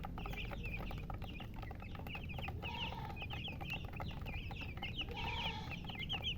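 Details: A flock of baby chicks chirping nonstop, dense clusters of short high peeps, with occasional lower clucking notes mixed in and a constant low rumble beneath.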